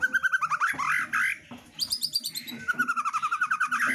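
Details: Female white-rumped shama in full song: rapid strings of repeated clipped notes form chattering trills, broken by a short pause, then a high sweeping burst and another fast even trill.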